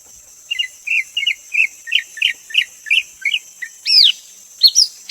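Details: Bright high whistling from a greater green leafbird: a regular series of short warbled notes about twice a second, ending with two loud upswept whistles, over a constant thin hiss.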